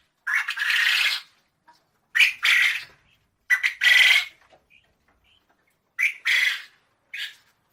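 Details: A long, rough, hissing squawk from a quail, followed by several paired raspy bursts, each a short lead-in note and then a longer harsh note, spaced one to two seconds apart.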